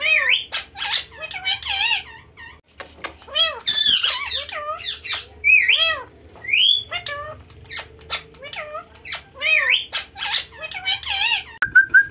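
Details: Indoor pet parrot chattering at length: varied speech-like babble, squeaks and clipped squawks in quick irregular bursts, with a few rising whistles and a faint background hum.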